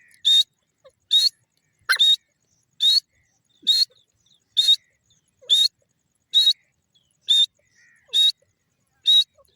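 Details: Grey francolin (Sindhi teetar) repeating a short, high whistle steadily, about every 0.9 seconds, eleven notes in all, with a faint click near the start.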